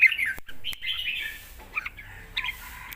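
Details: Fierce lak wai song of a red-whiskered bulbul, a complete master song for tutoring young birds: a run of slurred, warbling whistles followed by short chirpy notes, punctuated by two sharp clicks.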